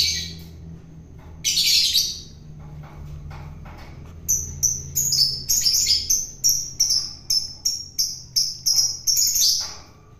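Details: Wild-caught long-tailed shrike being fed for taming: one loud rasping burst, then a fast, fairly steady series of sharp, high, scratchy calls, roughly three per second.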